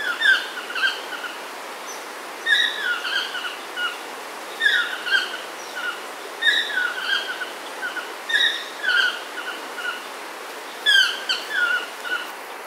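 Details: Several yellow-throated toucans calling at Chilamate Eco-Retreat, Sarapiqui, Costa Rica, on 24 April 2022: loud yelping, down-slurred notes in phrases of three or four, repeating roughly every two seconds over steady forest hiss.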